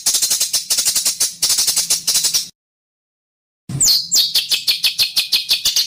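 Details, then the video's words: Bird master song for training competition birds, a harsh, rough 'besetan' style with dense 'tembakan' bursts: fast, high, scratchy chirps repeated several times a second, broken by a short silence before a sharper, buzzier run resumes. "MASTERAN Burung Denagn Suara Besetan Kasar"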